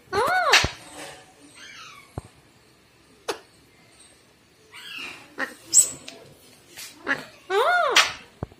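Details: Pet Alexandrine parakeets filmed in August 2019 making arched, nasal, harmonic calls that rise and fall, mixed with raspy chatter, clicks and brief squeals. Several loud calls are spread across the clip.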